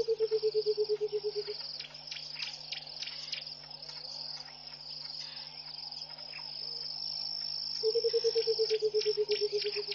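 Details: Early-morning song of a Burchell's coucal at Pete's Pond in Botswana's Mashatu Game Reserve, January 2014. Two bouts of deep, evenly spaced hooting notes descend gently, each lasting over a second. A constant shrill buzz and scattered faint calls fill the gaps.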